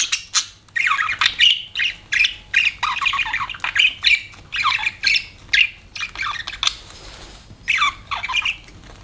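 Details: Budgerigars chirping in a long, busy stream of short squawky notes and warbles, about two per second, with scratchy and downward-sliding chirps throughout.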